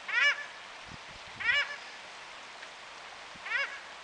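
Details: Paradise shelduck in New Plymouth, New Zealand, calling loudly in the morning: three harsh, honking cries with stacked harmonics, roughly every one to two seconds, over a quiet background.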